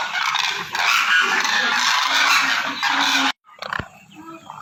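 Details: Demoiselle crane, known locally as koonj: a dense, loud chorus of overlapping harsh, honking calls that runs without a break for over three seconds, then cuts off sharply, leaving quieter scattered calls.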